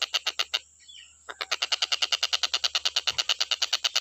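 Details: Stork-billed kingfisher for birdsong tutoring: quick, regularly spaced rasping notes, briefly interrupted, then resuming as a steady rattling chain of about five notes per second.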